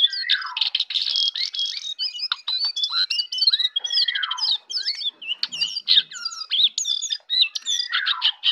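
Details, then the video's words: In the morning a jongkangan gives busy warbling song of rapid chirps, buzzy bursts and sweeping whistles, with only tiny gaps between phrases. "jongkangan ocehan di pagi hari"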